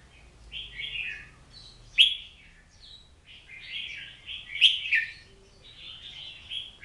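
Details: Oriental magpie-robin singing varied phrases: sweet slurred whistles punctuated by two sharp, piercing high notes, with pauses between phrases.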